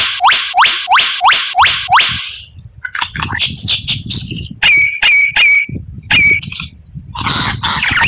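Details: Rare 'tembakan' song of the white-rumped shama: a quick series of six up-flicked whistles, then scratchy chatter over low rumble, and several ringing clipped notes repeated in pairs.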